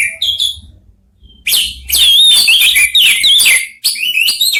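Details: Three orange-headed thrushes trade answering song phrases. Brief high notes lead into a long, loud, tumbling run of sweeping whistles and rapid chips, ending in a quieter repeated phrase.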